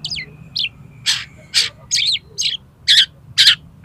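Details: Kacer, the Oriental magpie-robin, in song for training contest birds; a steady series of about eight harsh, rasping bursts roughly twice a second, mixed with brief descending whistles, above faint low rumble.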